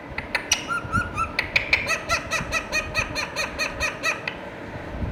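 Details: Talking Indian ringneck parakeet: quick string of about a dozen short nasal syllables in a fast, uneven chatter, with a few whistled slurs early on and faint room noise.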